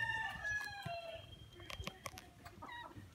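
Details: A talking common myna gives a drawn-out, rising harmonic phrase like a crow, then sharp clicks and short nasal, speech-like notes.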